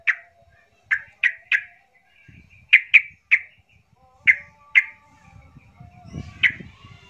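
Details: Yellow-vented bulbul, agitated 'trucukan emosi' lure for prompting silent birds to sing: scattered harsh, squawky notes in short clusters of two or three, separated by gaps, with faint low rumbling toward the end.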